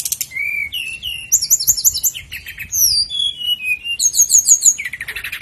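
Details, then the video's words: Sikatan londo flycatcher song meant for tutoring caged birds: a continuous stream of clear whistles, rising and falling slurs, and rapid rolling trills, very high in pitch and richly varied. "masteran burung sikatan londo"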